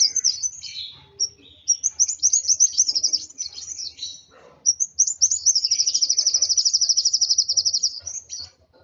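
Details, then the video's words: High, thin sunbird chirps and squeaks in uneven bursts from the agitated bird, followed by a sustained rapid trill of very high, evenly repeated notes. "Burung Kolibri Wulung Emosi Sampai ke Ubun Ubun.."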